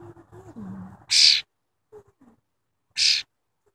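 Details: A tame wild cowbird gives two loud, harsh, high bursts about two seconds apart, after a low murmuring voice and some quiet clicks.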